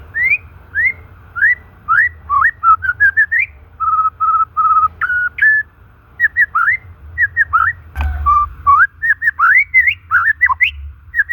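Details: White-rumped shama natural song used to stimulate silent, stressed shamas: rising whistled notes, steady flat piping tones repeated several times, then rapid varied whistled phrases, with a background hum.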